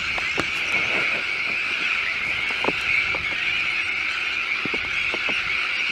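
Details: Sandwich tern colony with chicks on a newly built shell island in De Putten, Schiermonnikoog: a steady wall of harsh, grating calls with occasional sharper notes standing out from the din.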